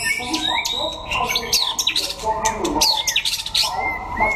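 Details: Competing white-rumped shama, Đắk Lắk, Vietnam: bright, fast whistled sweeps and clicks followed by clear drawn-out whistles, with people's voices in the background.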